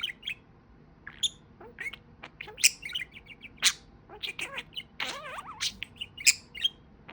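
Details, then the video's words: Pet budgerigar chattering in scattered clicks and bright chirps, with one wavering, gargled whistle in the middle, the notes spaced loosely and unevenly. "Talking Parakeet"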